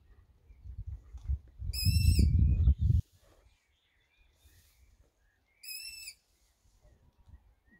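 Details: Long-eared Owl chicks, three of them, calling on 8 June: a loud hissing screech followed about four seconds later by a shorter one, with low handling rumble and a person's nearby sounds.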